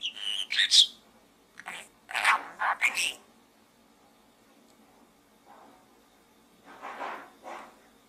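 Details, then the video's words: Pet budgerigar chattering inside a small gourd: a burst of scratchy, high syllables, a pause, then a softer pair of rasping notes near the end, indoors and otherwise quiet. "Bird Talk in the small gourd"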